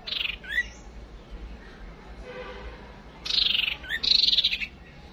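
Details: White-rumped shama female used as a lure to provoke males to fight: a buzzy descending burst with a rising upslur, a long pause, then two more grating, rapidly pulsed bursts close together.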